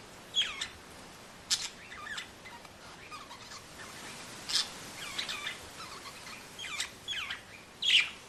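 Budgerigar giving bright, high chirps and scratchy warbled notes in short, irregular bursts.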